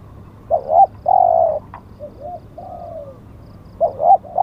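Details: Spotted dove decoy: a wavering double note and a long loud coo, then quieter short and falling notes, and another wavering phrase beginning near the end; a single click midway.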